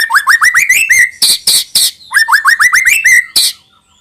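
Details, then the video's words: White-rumped shama song, played to lure young birds into singing: a series of rising whistled notes around the mid range, broken by loud harsh chattering bursts, then the rising whistles repeat. "suara burung MURAI BATU UNTUK MEMANCING MB BAHAN AGAR RAJIN BUNYI DAN GACOOR |SHAMA BIRD"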